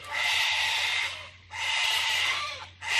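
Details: Cockatoos on Oxley Avenue give loud, harsh, raspy screeches, each over a second long, in quick succession with a faint low hum beneath.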